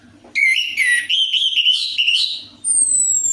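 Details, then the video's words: Lure song of an orange-headed thrush, meant to stimulate a silent bird to sing: a continuous, clear, warbling whistled phrase with rising and falling notes, followed by a thin, high, falling whistle. "PANCINGAN ANIS MERAH AMPUH INI, ATASI SUSAH BUNYI ANIS MERAH"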